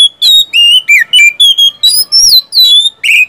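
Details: Oriental magpie-robin song meant to prompt caged birds to sing: a steady run of about ten clear whistled notes, each a short slurred phrase, some rising, some dropping, spaced roughly a third of a second apart.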